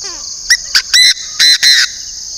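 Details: Northern Vietnamese decoy Chinese francolin calling: one strident five-syllable burst, two brief notes then three longer grating ones, set against a continuous high-pitched insect chorus.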